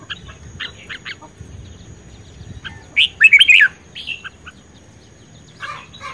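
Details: Red-whiskered bulbul singing in a contest, a spirited caged bird: a few short chirps, then a loud rich warbled burst, answering softer phrases and a closing chatter, over low background noise.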